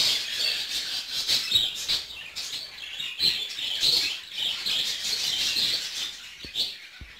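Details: Budgerigars in a breeding aviary in Ankara: many birds chattering at once, a dense warbling mix of high chirps and squeaky notes with no pauses.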